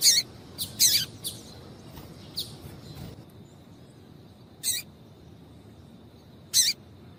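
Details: Female Double-collared Seedeater calling to stir a male: a cluster of quick high chirps early on, then two isolated sharp chirps spaced about two seconds apart, with a faint steady high tone behind.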